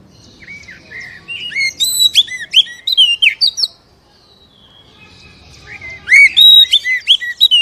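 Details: Kacer, or Oriental magpie-robin, song to stimulate a captive bird: a run of bright, rapid chirps and whistled slurs with many high notes, a short silence, then another loud burst of sharp repeated phrases.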